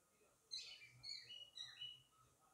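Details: Male lovebird calling the female to come inside: a short run of high, sharp chirps and squeaky notes in quick succession, faint overall with a quiet room in the background.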